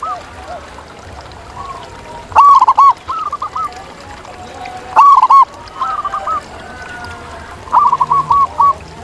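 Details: Wild local zebra doves singing loudly. Three bold phrases arrive about every 2.5 seconds, each a crisp attack followed by quick rolling coos. Fainter doves answer between them.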